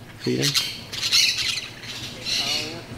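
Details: A flock of orange-chinned parakeets feeding at morning feeders at an eco lodge in northern Costa Rica gives harsh, high squawks in several bursts, with a man's voice speaking briefly over them.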